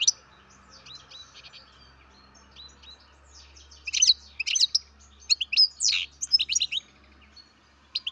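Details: A captive-bred baby European goldfinch gives bursts of high, thin twittering chirps, clustered mostly in the last four seconds, with a faint low hum behind.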